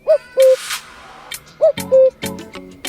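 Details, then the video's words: A male Common Cuckoo gives two clear 'cu-ckoo' calls, each a higher note dropping to a lower one, about a second and a half apart, over faint background music and clatter; males call to attract females. "It's interesting to note that male cuckoos are the ones making this sound to attract female mates."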